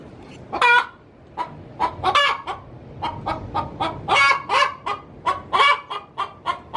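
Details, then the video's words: Laying hen cackling inside her coop, a brisk stream of harsh clucks building into louder, ringing squawks, delivered unevenly over several seconds. "Suara asli ayam betina cocok untuk digunakan memanggil ayam hutan"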